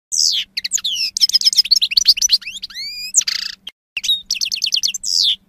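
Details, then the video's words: European goldfinch song from 2016: a fast, unbroken run of bright twittering notes, liquid rising whistles and buzzy, nasal trills with short pauses, all high-pitched and loud against a faint low hum. "Cante De Jilguero"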